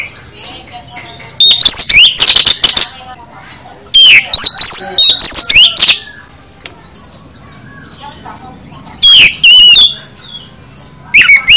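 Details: Full 'isian' song of an oriental magpie-robin (kacer): three bursts of quick whistled and buzzy notes, each lasting a couple of seconds, separated by long near-silent pauses.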